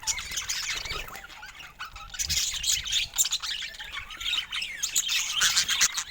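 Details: Colourful pet budgerigars in a flock give busy, overlapping warbles, sharp chirps and scratchy squawks, a constant high chatter.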